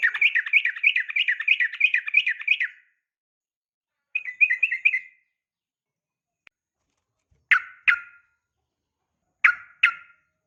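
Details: 'Uplik tarung' call of a female sooty-headed bulbul provoking males to reply. A fast, even chattering trill runs almost three seconds, then a short softer burst follows, and after a pause come two pairs of loud, sharp notes.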